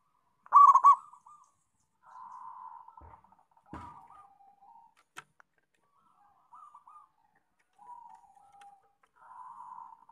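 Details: Local zebra dove (perkutut) singing actively: a loud burst of rolling coos, then softer low cooing phrases spaced a second or two apart, with a couple of sharp clicks in between.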